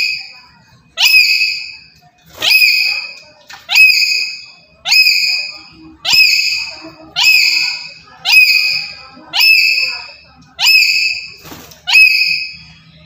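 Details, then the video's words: Very active Black-capped lory serving as a trapping lure, producing a steady series of ten loud harsh rising squawks, each just over a second apart. "Sekali Pancing Saja Langsung Burung Nuri Apapun Bunyi"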